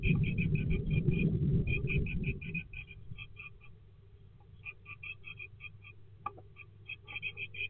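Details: Great tit at a nesting box on 20 February 2024. Rapid runs of thin high chirping notes repeated about three times a second, broken by short pauses, over a low rumbling hum that is loud at first and then fades.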